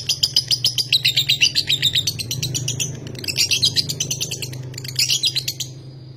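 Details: Lovebird of the konslet style from Nganjuk, from a breeder of champion birds, pouring out a rapid, unbroken chatter of sharp high chirps, roughly four each second, sustained for almost six seconds before stopping abruptly; low steady hum beneath.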